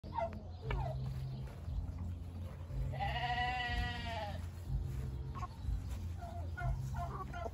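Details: Crow from a giant Brahma rooster: a single drawn-out, rich crow lasting just over a second, heard over a steady low hum and faint clucks.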